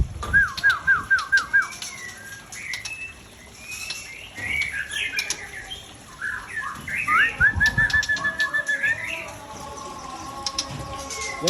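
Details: Murai Aceh, an Aceh white-rumped shama kept as breeding stock: a fast series of repeated rising whistled notes, then varied chattering and slurred phrases, another quick repeated run, amid background chirps and a steady high hum.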